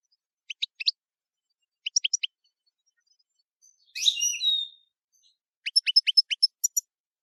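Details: Camper-style song of a European goldfinch. Short groups of three or four sharp tweets are spaced by pauses. A harsh, buzzy burst sounds midway. The passage ends in a rapid string of bright chirps.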